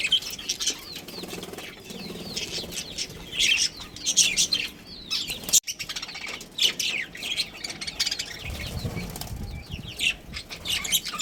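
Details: Budgerigars in a colony with a breeding pair, keeping up a busy stream of high chirps and warbling chatter, with faint low background noise.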